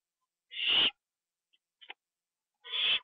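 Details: Owl on a live cam, 25 September 2011 at 1:52 AM, during a treat eaten indoors: two harsh breathy screeches about two seconds apart, with a few faint clicks in the gap.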